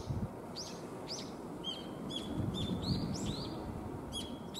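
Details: Young brown-eared bulbuls trading calls in a spring-to-summer calling contest; thin, high, slurred squeaks and short piping notes, somewhat distant, scattered irregularly over rumbling low background noise, with a brief knock at the start.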